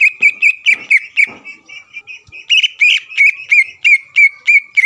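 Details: Greater green leafbird (cucak ijo) singing to provoke a rival leafbird: a steady string of clear whistled notes about three per second, with some rasping chatter early and louder, richer notes toward the end.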